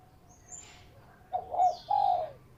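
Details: Local zebra dove singing, the kind of voice used to lure birds: two soft, mellow coos, the second longer and slightly falling, over quiet background hiss.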